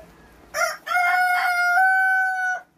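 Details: Native Korean rooster, released free-range onto grass from its coop, crows once: a short opening note, then a long strained level-pitched cock-a-doodle-doo held nearly two seconds before cutting off; Chicken.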